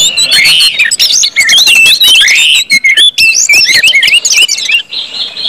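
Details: Orange-headed thrush singing in the full 'ngeplong' style meant to prompt other birds to sing: dense, loud stream of wavering whistles, harsh squawky notes and twittering, with almost no pause.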